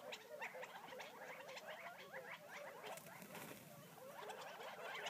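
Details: Wild Gambel's quail feeding just outside Florence, Arizona: a steady murmur of soft, short clucks and chips from many birds overlapping, with a brief louder burst near the middle.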